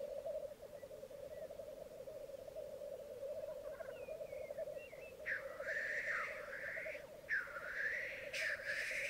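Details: Lekking black grouse on a bog in Mykland, May 2022 morning, with twelve cocks and two hens: a steady bubbling murmur throughout, faint whistled notes midway, then three harsh hissing sneezes in the last four seconds.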